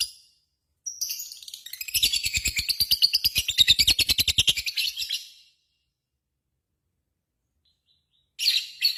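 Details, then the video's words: Lovebird ngekek: a loud, fast, chattering trill of sharp high notes swells and runs for roughly four seconds, followed by silence and then a brief burst of further chatter at the end. "SUARA BURUNG LOVEBIRD GACOR,Jago Ngekek Bikin Lovebird Apapun Langsung Ikutan Nyaut Ngekek Koekk"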